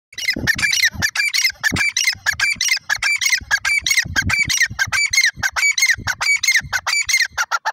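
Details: Grey francolin calling: a loud, harsh, rapid series of squawking, chattering notes repeated about one and a half times per second, with low knocking sounds underneath.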